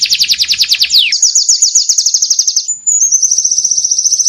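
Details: White-eye (pleci) training song: a rapid stream of very high ticking notes, a falling sweep, then a long fast trill near one pitch, briefly paused and resumed.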